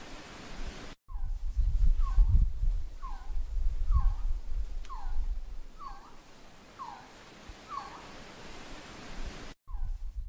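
A Resplendent Quetzal gives a series of about eight mellow, slurred notes, each rising then dropping, spaced roughly a second apart over a low rumble of wind.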